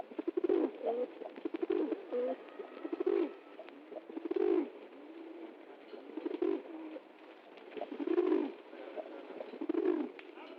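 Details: Pigeon dancing with joy at getting food: low, rolling coos come in bursts roughly every one to two seconds, each a short throaty phrase, with light tapping and clicking noises between them.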